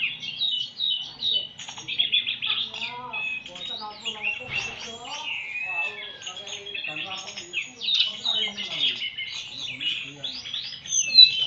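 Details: White-rumped shama in a singing duel with a telede'an gunung: clear sliding whistles mixed with scratchy rapid notes and short trills, quiet human talk underneath.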